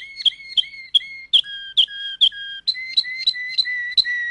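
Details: Waterslager (Malinois) canary song: clear whistled notes repeated about twice a second, each with a sharp click onset, shifting from higher to lower tones and back, bell-like and evenly paced.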